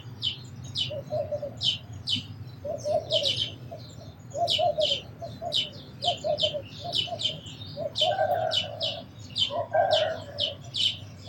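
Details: Continuous high sparrow chirping, quick and uneven, over a lower hoarse warbling call that comes in short bursts; a low background rumble runs throughout.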